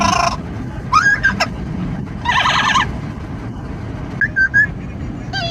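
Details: Amazon parrot riding in a car makes harsh squawks mixed with short whistled notes and a rising whistle, several separate bursts, with loud wind and traffic roar throughout.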